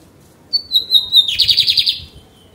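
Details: Bigodinho, the lined seedeater, in song on 28 June 2022. A clear, level high whistle lasts about half a second, then breaks into a fast buzzy trill of roughly eight rapid pulses before stopping.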